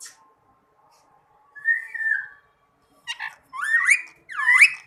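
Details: Talking rose-ringed parakeet, a green ring-neck, gives a soft level whistle, then after a pause a burst of short rough notes and two loud looping whistled calls that swoop down and up.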